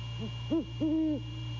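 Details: Late-night male great horned owl near Savannah, captured by nest cam at 1:24 AM in January 2022: two quick low hoots followed by a single long, steady, deep hoot, with electrical hum throughout.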